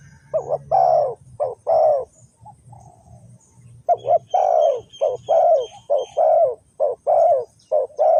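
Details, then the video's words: Spotted dove from Ninh Thuận, Vietnam, calling as a lure to draw wild doves into a trap: hoarse cooing notes in quick groups, one short burst and then a longer run of coos, over a faint low hum. "The Sound Of dove"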